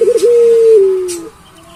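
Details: A single long puter pelung coo from a Barbary dove, which opens with a brief wavering flourish, holds a steady tone, then drops slightly and fades out after about a second.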